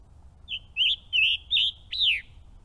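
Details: A male Scarlet Tanager stops briefly at a stream and sings five quick, hoarse, burry phrases in under two seconds, ending on a sharply falling note, over a faint low rushing background.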